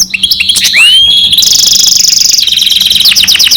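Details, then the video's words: Hybrid of goldfinch and canary in song, with sharp chips and a sweeping rising whistle followed by a long, even, rapid trill and a buzzy rattling phrase, high and loud against a faint hum. "Гибрид щегла с канарейкой/ سایره کنری/ hybrid of goldfinch and canary"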